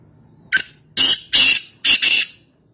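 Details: Black francolin calling in the wild at Nawabshah, Pakistan: a short sharp note, then two longer grating rasps, then a quick pair of harsh, scratchy notes. The call is loud and close against a quiet background.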